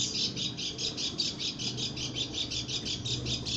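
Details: Female Lombok white-eye giving an unusual call: a fast, even train of short high chirps, about two or three per second, running steadily throughout over a low background hum.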